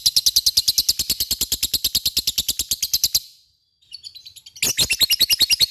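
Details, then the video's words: Lovebird ngekek, a continuous shrill chatter meant to draw a reply from other lovebirds: fast, evenly pulsed high notes for three seconds, a brief pause with faint twitters, then the rapid chatter resumes. "Pancingan LOVE BIRD gacor ngekek,mudah di respon lawan"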